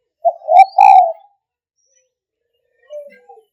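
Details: Spotted dove giving a rich, low cooing phrase: a short coo, a stronger rising coo and a long drawn falling coo within one second, then after a pause a softer, fainter pair of coos.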